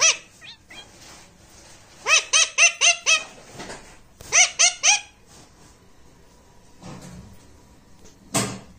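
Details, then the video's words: Indoor pet talking parrot repeating short harmonic squawk-like notes in quick runs of four to five, two bursts separated by a pause, with a sharp noise at the end. "Mujhe bolne do || talking parrot"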